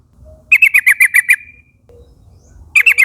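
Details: Yellow-vented bulbul, young wild forest birds in a flock, calling companions to join in. A quick burst of about seven chirpy, buzzy notes, another burst starting at the end, faint low rumble underneath.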